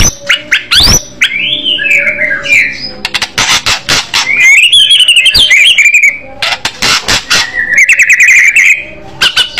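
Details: White-rumped shama in aggressive fighter style, loud voice, giving warbled whistles that rise and fall, scratchy twittering phrases, and a quick buzzy trill near the end. Frequent sharp clicks sound between the phrases.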